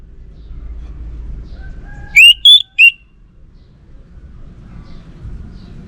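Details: Orange-headed thrush singing gacor, nonstop: one soft thin note, then three loud clear whistled notes in a quick burst, the middle one highest. A low background hum runs throughout.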